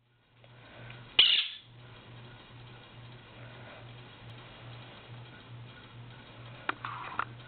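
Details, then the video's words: Pet Quaker (Monk) parakeet indoors in the morning, waking its owner before about 8 am as it does in every season, gives one loud, harsh, high screech, then a few faint clicks over a low household hum. "birdie wakeup call"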